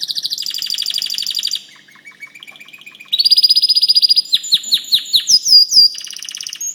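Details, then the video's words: White canary singing a varied song: fast high trills, a low soft rolling passage, then rising whistled notes repeated about four times a second. "White canary"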